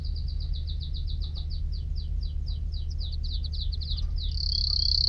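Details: Canary song of rapid, evenly repeated downward-sweeping notes, about four per second, ending in a bright, fast high trill, over a low background hum.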